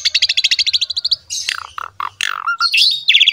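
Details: Model song of an Asian pied starling for young birds: a rapid run of about fifteen clipped notes, then slurred downward whistles, a quick rattle and squeaky high phrases.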